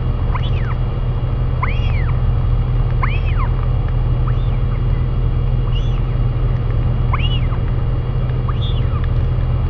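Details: Arched rising and falling whistled calls repeat about every 1.4 seconds as royal albatross parents feed a chick in New Zealand; a steady low hum runs underneath.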